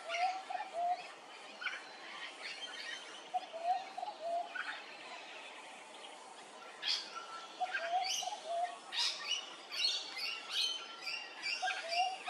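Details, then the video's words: Soft rising three-note cooing phrases from a peaceful dove recur through this Hervey Bay, Queensland recording, partly masked by loud, high chirps and twitters from other birds, especially in the second half. "Peaceful Dove"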